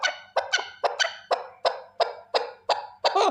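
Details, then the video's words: A male partridge calling alone with rasping, clipped notes at about three per second, some in quick pairs, steady in loudness. "Овози кабки нар Голос Куропатка صوت الحجل Partridge's voice صدای کبک"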